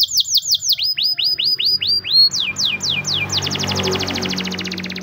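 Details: A white Spanish Timbrado canary delivers training song: steady series of high downward-sweeping notes that quicken into a rapid rolling trill, with a low background hum underneath.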